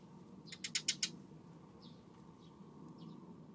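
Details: Eurasian tree sparrow, afternoon of April 25: a quick burst of four sharp, high chirps in under a second, then a few faint distant notes over a steady low rumble.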